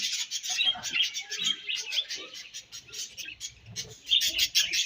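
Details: Several budgies eating and calling, rapid rhythmic chirps and clicky twitters repeating about twice a second amid busy high chatter, with soft pecking sounds below.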